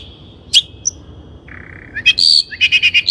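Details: Long-tailed shrike song used as a training lure: a faint thin whistle, a sharp chip, a low nasal buzz, then harsh rasping notes and a rapid series of chattering calls.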